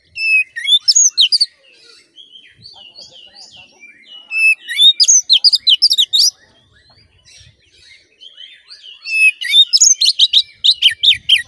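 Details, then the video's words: Bursts of energetic oriental magpie-robin song, fast sharp whistles and chattering notes in three loud phrases with quieter twittering between, played to make a caged male emotional and aggressive. "Suara Pancingan Kacer Agar Cepat Emosi Gacor"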